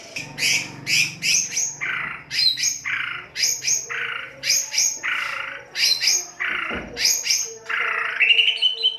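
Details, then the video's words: White-rumped shama in the harsh 'kasar' singing style, played to stimulate singing: rapid repeated high chirps alternating with rasping buzzy notes, phrases returning about every second, with a steady low hum beneath. "Pancingan kicau murai batu kasar"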